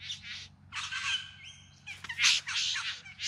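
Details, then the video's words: Bowerbird displaying to attract a mate, Yarra Valley near Melbourne, September 2020; grating churrs broken by a brief pure whistled tone, then a louder burst of harsh, crackling notes. "Bowerbirds Singing and Dancing"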